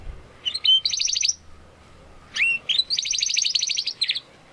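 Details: Spanish Timbrado Classico canary, a young bird still finding its full song, gives two short bursts, each opening with a thin whistle and breaking into a rapid chattering trill, separated by a quiet pause.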